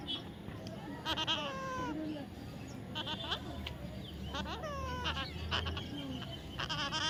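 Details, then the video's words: Young parrot giving repeated squeaky, descending calls in quick clusters, some nasal and rasping, spread across seven seconds over steady low background noise. "natural funny parrot sound"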